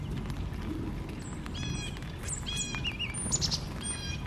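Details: Backyard birds in Missouri, North America: a lively run of clear whistled notes, some steady, some wavering, with thin high squeaks between, set against a low murmur of outdoor background noise.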